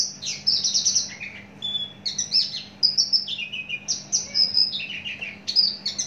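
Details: Mature Javan bush lark kept in a cage for a long time, large-bodied, delivering a continuous high song of varied whistled slurs, buzzy notes and quick chirp bursts, phrases switching every second or so.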